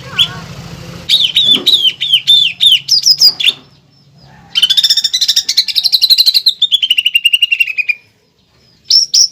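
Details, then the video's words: Energetic greater green leafbird song used for training and prompting other birds, rich in pelatuk bawang elements; a run of bright rising-falling whistles, a short pause, then a long rattling trill that slides downward. "PANCINGAN DAN MASTERAN CUCAK IJO GACOR ISIAN MEWAH PELATUK BAWANG"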